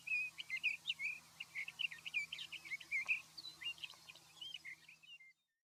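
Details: Male Sage Thrasher in Montana sagebrush on a July morning, singing as he lands with wings half open in display: a long, rapid run of bubbling, warbled phrases with an imitated Long-billed Curlew whistle blended in, over a faint low hum.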